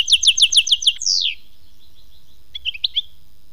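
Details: European goldfinch song labelled khmis melyana: a rapid run of six bright, high chirps, then a sweeping downward slur, a pause and a few soft tinkling twitters.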